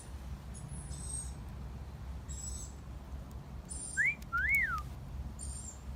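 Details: One wolf whistle from a parrot in a garden, rising then arching down, set against repeated high thin chirps from other birds and a soft background hiss.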